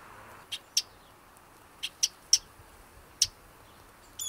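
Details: Baby sparrow rescued and hand-raised by a girl, calling while communicating with her: five sharp, very high, short chirps spread unevenly over about four seconds against a quiet background.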